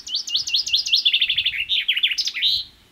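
Common Chaffinch song: a bright phrase of separate notes speeding into a descending trill, ending in a louder rising flourish, repeated often in spring.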